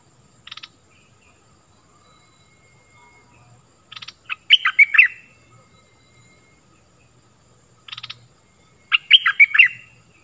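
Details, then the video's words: Stripe-throated bulbul lure song, used to teach young birds and draw in wild birds: short rattling buzzes each followed by a burst of rich bubbly notes, repeated about every four seconds. "เสียงต่อนกดอกแตงEp.38 Birds sounds เสียงชัด เปิดดอกหลายเพลงนกป่าเข้า100%Burung merbah lekir"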